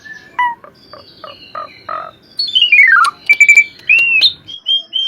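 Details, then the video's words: Asian pied starling singing on a track for training cage birds: a short series of evenly spaced clipped notes, then a long thin whistle, a falling slurred run, and clear whistled notes. "Kicauan burung jalak suren gacor"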